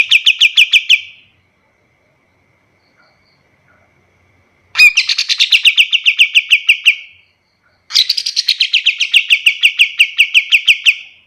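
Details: Kapas tembak master song for tutoring other birds: three bursts of rapid, bright chattering notes, each a few seconds long, separated by short silences, with a sharp note opening each phrase.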